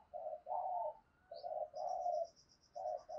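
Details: Spotted dove decoy calling wild doves with low, husky coos in paired phrases. A thin, rapid high-pitched chirping series runs through the second half.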